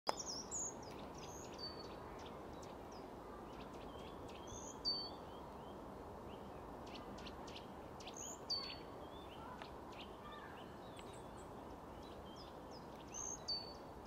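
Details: Eurasian treecreeper in Tivoli landscape park, Ljubljana, on 5 April 2023, gives very high, thin, sibilant calls every few seconds, with other faint bird chirps over a steady low rumble of distant traffic.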